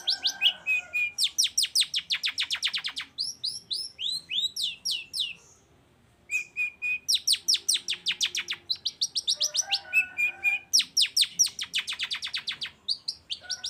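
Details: Energetic long-tailed shrike singing to prompt silent birds to respond: long rapid trills of sharp repeated notes, broken by looping whistled phrases, a short pause, then more fast trilling and chattering.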